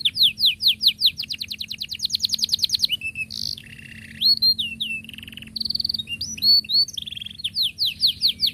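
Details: Canary song, used to tutor young canaries learning to sing: long, dense rolling phrases of rapid downward-sweeping notes, then varied whistles, buzzy trills and slurred high notes, all bright and clear.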